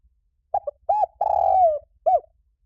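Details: Spotted dove call used as a trapping lure: a phrase of short low coos followed by a long sliding coo and a final arched note, mellow and hollow.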